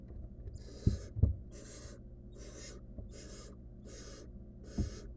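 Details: Barn owl nestling, wild, in a monitored nest box, attempting to eat a stolen rodent on its own; six harsh, airy hisses, each about half a second, with sharp knocks early on and a constant low hum.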